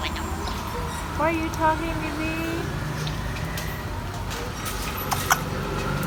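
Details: A pet male African grey parrot, greeted in the morning by his owner, says a short, speech-like hello in a few quick syllables, with her voice and steady traffic rumble behind.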